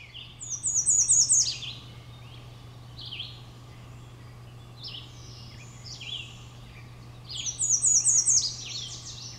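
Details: American redstart on 14 May 2012 at Great Swamp WMA, West Kingston, Rhode Island, sings twice: a rapid string of thin, very high notes ending in an accented downslur. Many other songbirds sing softly, with a low steady hum.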